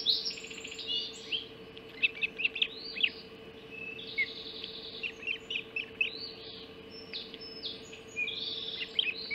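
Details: Ospreys at the Hog Island nest, 04.50 on 30 June 2016, as a mackerel arrives for breakfast: rapid bursts of thin, high, piping chirps, several overlapping series with brief pauses, above a constant low hum.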